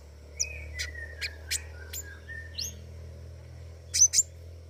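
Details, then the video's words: Scarlet-backed flowerpecker (pentis raja) singing in lively form: thin high notes, sharp descending ticks and short buzzy strokes scattered over about five seconds, ending in two bright upward flicks, with a steady low hum beneath. "burung pentis raja gacor"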